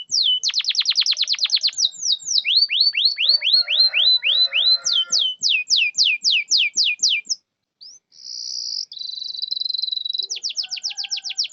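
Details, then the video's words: A canary sings long sequences of rapid whistled sweeps, some falling and some rising, interrupted by a brief buzzy roll, over faint lower chattering. The recording is intended to prompt lazy canaries to sing. "Pancingan kenari macet malas bunyi bisu pasti langsung nyaut"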